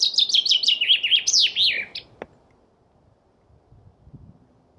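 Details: A chaffinch delivers a quick run of high, descending chirps that ends in a louder, tumbling flourish, followed by a single click and then quiet low background sounds.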